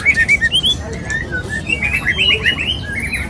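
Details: White-rumped shama male courting a female: short bright whistled notes repeated in quick pulses, then a tumbling series of warbled slurred whistles.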